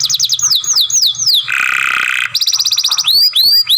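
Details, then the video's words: Captive young canary in training delivers looping whistled slurs, a harsh grating buzz, a fast rattling trill, then high upswept whistles. "Young Canary Masteran, Long Sounds Grumbling"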